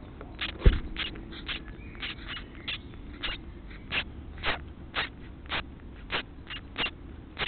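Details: House sparrow chicks being fed by adults give short, sharp chirps, roughly two each second, over a steady low rumble of background noise.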